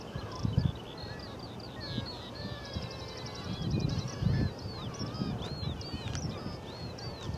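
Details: At the Bempton Cliffs seabird colony in East Yorkshire, a dense chorus of harsh, grating northern gannet calls overlaps continuously, with thinner whistled upslurs from other seabirds above and a low rumble of wind.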